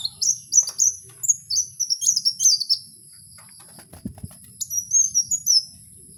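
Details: Kowul singing in the wild: rapid, very high, thin whistled notes in quick succession, a pause with a soft low knock, then a second burst of drawn-out sliding whistles.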